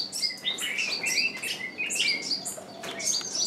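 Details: Decoy bird calling to bring in wild birds that stay away; fast, overlapping high chirps and short whistled slurs pour out almost continuously.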